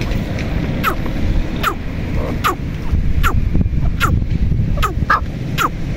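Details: Female red partridge, known locally as teetar or dakhni teetar, giving short, sharp downward-sweeping calls repeated about every second over a steady low rumble of background noise.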